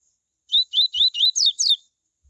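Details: Phrase from a coleiro tui tui, sung to excite other coleiros into song: six sharp, high whistles in rapid succession, early notes upslurred, later ones dropping in pitch, in a silent setting.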